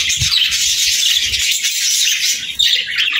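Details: Many budgies singing at once, high twittering and chirruping chatter that barely pauses, a brief low knock near the start and a quick shift in the calls near the end.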